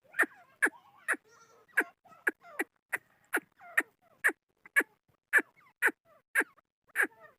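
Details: Chukar partridge uttering rapid repeated clucks, about two per second, sharp and emphatic, in a continuous rhythmic run with faint softer notes between.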